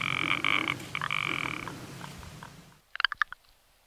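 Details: Rock ptarmigan uttering stuttering, belching rattles that fade out, followed by a short burst of sharp clicking croaks against a quiet background.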